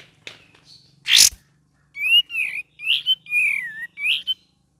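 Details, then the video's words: Cream-vented bulbul singing gacor variations with ngeriwik: after a loud rustle, five clear whistled notes in quick succession, wavering and falling, over a faint low hum. "KAPAS TEMBAK VARIASI GACOR DAN NGERIWIK"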